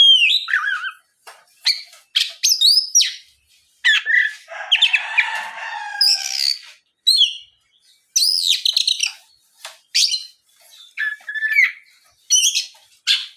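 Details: Lure song of an Oriental magpie-robin, played to make other magpie-robins respond. Continuous, varied medley of crisp chirps, high slurred whistles and a raspy buzzing passage, delivered in short energetic phrases with brief pauses.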